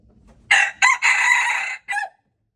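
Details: Male red junglefowl crowing, recorded February 26, 2025: a harsh four-part crow with a short opening note, a second brief note, a long sustained raspy middle, and a clipped falling ending, lasting under two seconds, with faint low background noise before it.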